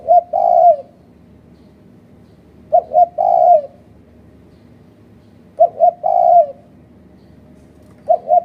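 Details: Repeated coo phrases of a spotted dove serving as a trapping lure in Malaysia, each two quick notes and a longer mellow coo, recurring about every three seconds.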